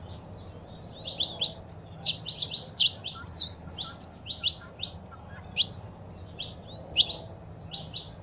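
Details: Saffron finch, female calls and male singing meant to stimulate a kept bird into song; a long lively stream of high, sharp chirps in rapid clusters, some faint sliding whistles, steady throughout.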